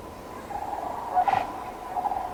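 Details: Distant sandhill cranes heard at a freezing winter campsite give a mid-pitched, rolling trumpeting call that swells briefly and then fades, over a soft background hiss.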